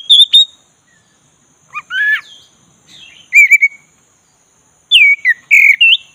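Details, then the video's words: Oriental magpie-robin of the black-breasted form singing to goad a lazy bird. Scattered phrases of rising whistles and warbles are followed by a final cluster of loud slurred notes. "pancing kacer tak bergairah jadi gacor|kacer dada hitam"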